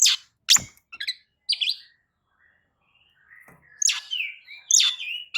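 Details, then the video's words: Oriental magpie-robin lure song for setting off other birds, heard as sharp broadband notes, a quiet gap with faint low whistles, then bright slurred whistles returning. "kicau pancingan kacer gacor"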